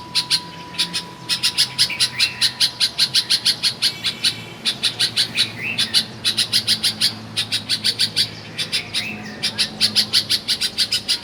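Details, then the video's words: Bulbul at a home in Karachi, Pakistan, giving fast bursts of repeated high chirps in runs separated by brief pauses, with a few slurred rising whistles and a faint steady hum behind. "Bulbul Bird Singing."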